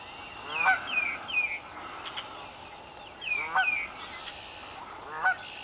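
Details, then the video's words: A Canada goose at Raymond Brook Marsh, Amston, Connecticut, in cold air gives loud, nasal honks: a quick pair near the start, another pair midway and a single honk at the end, over faint background hiss. "Canada Goose calls"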